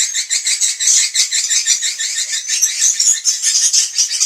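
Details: Lure call of swiftlets for evening roosting: a busy, high chorus of twittering chirps in quick pulses, with thin whistles coming and going.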